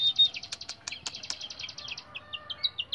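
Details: Caged flycatcher producing a fast, rattling series of high twittering notes, then softer spaced chirps, with loud sharp clicks breaking in over the first half.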